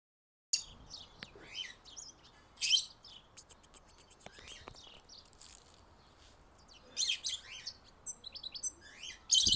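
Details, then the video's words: A goldfinch hybrid sings bright, high twittering phrases with quick tinkling notes and short buzzy trills, broken by brief pauses, against a quiet background. "Mixto jilguero cantando"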